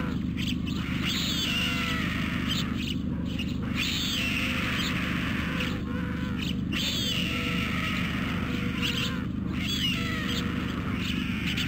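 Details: Hungry white stork nestlings begging at Carpinis, Romania, on 12 August 2014, filmed by a nest webcam. Thin harmonic calls repeat in bursts, some falling and some arching, over a steady loud hiss and low hum.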